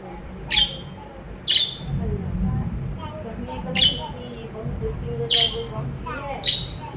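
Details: A happy pet budgerigar gives short, sharp, high chirps about once a second, six in all, over a steady murmur of low background voices.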